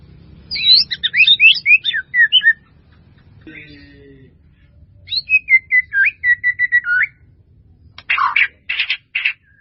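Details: Varied white-rumped shama song recorded for training: a fast jumble of high twittering notes, a short pause, then a series of repeated whistled notes, ending in harsh buzzy bursts, with a faint low hum throughout.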